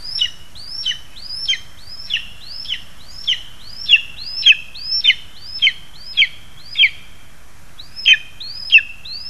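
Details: Lesser spotted eagles, parents bringing food to their young, recorded on 2 August 2020: sharp yelping calls, each a rising whistle snapping downward, repeated about every half second, roughly fourteen in a row with one brief gap.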